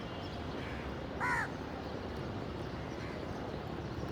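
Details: A single clear, harsh caw from a crow, short and slightly falling, standing out against a continuous low rumble of background noise.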